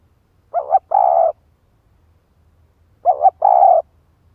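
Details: Spotted dove used as a decoy, calling to lure wild doves. Two cooing phrases about 2.5 seconds apart, each a short wavering double note followed by a longer, rough, burred coo. Quiet low hum behind.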